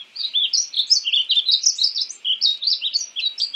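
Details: Painted bunting: a nonstop run of fast, sweet chirping notes, high and varied, flowing without pause for over three seconds.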